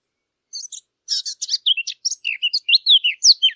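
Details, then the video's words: Eurasian blackcap singing for hunting-caller use: a brief chattering start, then an accelerating series of bright, fluty whistles with sweeping slurs, clean and without background noise. "صوت التيان او عصفور التين"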